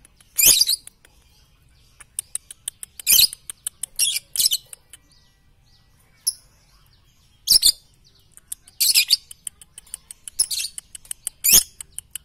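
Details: Lovebird tutor recording for morning, noon and night, with repeated shrill, rasping screech bursts and rapid ticking clicks between them, the bursts recurring every second or two.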